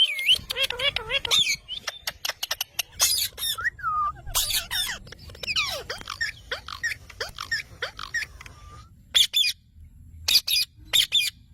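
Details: Green parrot making a varied mix of squawks, whistled slides and short chattering notes, irregular and scattered, with low background rumble throughout.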